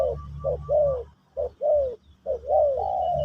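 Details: Spotted dove singing Pesom or Kacuk style for teaching a new bird: short soft coo notes followed by longer drawn-out falling coos, in three quick bursts, over a faint low rumble.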